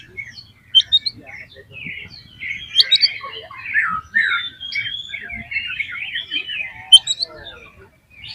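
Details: Oriental magpie-robin giving a lure song to get other magpie-robins singing: a steady stream of moderately loud scratchy twitters, chatters and short whistled notes with occasional sharp high accents.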